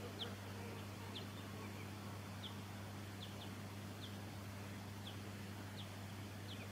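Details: Silvereye of the pinarochrous subspecies in Victoria, Australia, December 2017, giving brief, thin, high down-slurred notes spaced about a second apart, with a constant low humming drone beneath.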